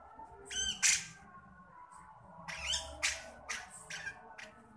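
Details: Javan grey-cheeked bulbul giving its beset'an, harsh, scratchy churring bursts in short irregular runs, some rising in pitch, over soft sustained musical tones and a low indoor hum.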